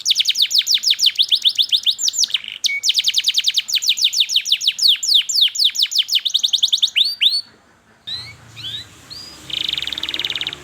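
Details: Canary singing a long lure song meant to teach young canaries: extended rapid trills of repeated sharp notes with a low whistle break, ending softer with scattered whistles and a buzzy trill.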